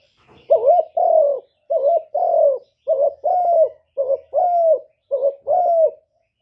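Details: Spotted dove cooing continuously, soft hollow two-part phrases repeated roughly once a second: a quick bent note then a held, falling coo, with faint low rustling beneath.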